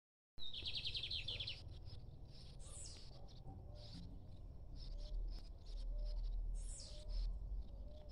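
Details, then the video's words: Free-flying lined seedeater singing: a high whistled note, then a quick run of repeated buzzy notes for about a second. Scattered clicks, hissy bursts and steady low rumble follow. "Bigodinho cantando Solto"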